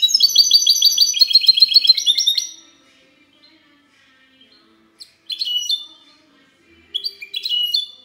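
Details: Mixto de jilguero, a goldfinch hybrid, singing 'cante limpio' on 19 March 2020: two and a half seconds of quick, high repeated trills, a long pause, then two short sharp twittered bursts.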